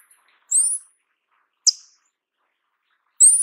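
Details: Paradise tanager, known in Brazil as sete-cores-da-amazônia: two high, thin rising buzzy notes separated by a single sharp tick, on a silent background.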